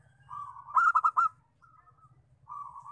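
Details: Lure call of a local zebra dove, used to attract wild doves: a gentle purr builds into four strong ringing staccato notes, followed by softer level trills, with a low hum throughout.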